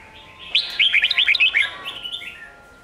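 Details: Red-whiskered bulbul in Sông Kôn style competition song, played for training young birds: one loud burst of quick warbled, up-and-down slurred notes, trailing into softer fading phrases.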